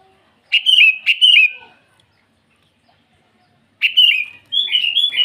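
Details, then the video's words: Morning rival-calling song from a sooty-headed bulbul: a pair of rich warbled phrases, a pause of silence, then more bubbly notes leading into a longer rolling run. "Suara burung kutilang memanggil lawan di pagi hari"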